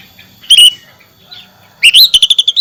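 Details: Oriental magpie-robin giving a short whistled note, a pause, then a rising whistle running into a fast series of clipped stuttered notes that ends on a held whistle.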